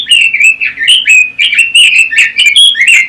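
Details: Red-billed leiothrix singing close and loud, a dense unbroken stream of bright, quick whistled and warbled notes, strongly varied in pitch, with a faint low hum behind.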